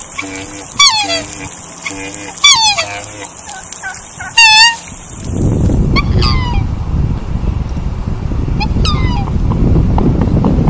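Black swan giving three loud, whistled bugling notes that slide up and down, about two seconds apart, over a low hum. Fainter calls follow under rushing wind or water noise.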